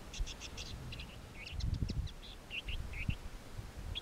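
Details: Woodchat shrike in Israel, May 2010, giving a run of short, scratchy high chirps and warbled notes, varied in pitch, over a steady low rumble of wind or distant traffic.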